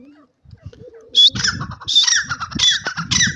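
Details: Grey francolin kept alongside a pigeon companion, giving loud, harsh, screechy bursts about every half second after a quiet start, with soft low rustling and thumping underneath.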